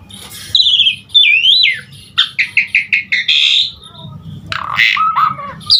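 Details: Jalak suren, the Asian pied starling, in energetic gacor full isian song meant to encourage starlings to sing: slurred whistles, a run of five quick repeated notes, then rough harsh bursts, with a faint low hum behind.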